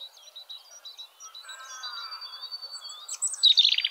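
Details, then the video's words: A European robin in nature sings thin, high, wavering whistles in quick varied phrases, ending in a louder tumbling trill, with a faint lower warble beneath. "Beautiful voice from Robin"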